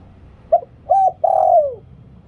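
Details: Decoy spotted dove singing the lio tan style to attract wild doves. A single phrase is heard: a quick low note, an arching hoot, then a long steady coo that falls away at the end.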